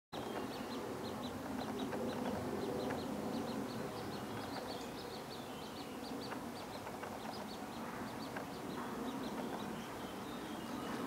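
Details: Eurasian coot fledgling being fed at the Elbsee in Hilden, Germany: thin, high peeping notes repeated rapidly and irregularly over a steady low rumble of background noise.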